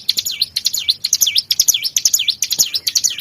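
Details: Bar-winged prinia lure recording: rapid, high V-shaped chirps, falling then rising, repeated about twice a second in a continuous lively series.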